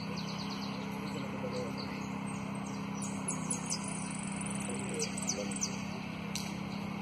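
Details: A saffron finch named "El Delfin", a competition runner-up, sings a fast, high series of sharp chirps, short falling whistles and trilled phrases over a steady low hum.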